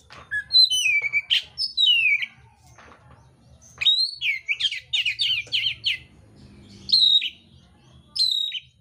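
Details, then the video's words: A kacer mintal, the oriental magpie-robin, singing a contest song full of coarse imitated phrases. Falling whistles give way to a rapid trill of repeated rising-falling notes, then sharp whistled phrases, with a soft background hum. "kacer mintal tarung bongkar isian kasar"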